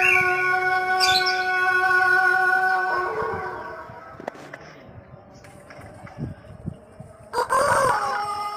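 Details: Pelung rooster from Cianjur, West Java, crowing to prompt other roosters: a sustained level crow tails off, followed by scattered clicks and knocks, then a fresh burst of crowing near the end.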